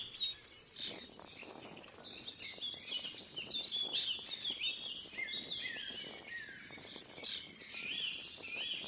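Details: European goldfinches in the wild, free birds, producing a dense overlapping chorus of high twittering, chirps and liquid trills that runs continuously without pause, with a steady hiss of outdoor background noise underneath.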